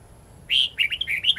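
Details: Red-whiskered bulbul giving a wild song used to train young birds: one strong clear opening whistle, then a quick chain of twisting, lilting notes about a second long, over soft background hum.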